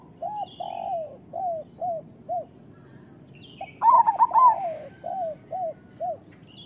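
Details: Local zebra doves (perkutut): a steady run of soft, separate, mellow coos throughout, broken midway by one loud, rapid, ringing burst of bouncing notes.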